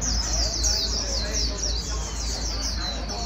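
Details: Quick high twitters from a white-eye being trained toward fast líu singing, the short notes tumbling about four per second, over a steady low hum and faint voices.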